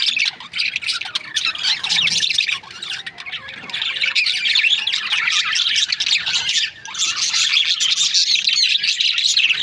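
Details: Chirping budgerigars from breeding pairs, a thick overlapping mix of high twitters, squeaks and scratchy squawks, with two short lulls before the chatter swells again.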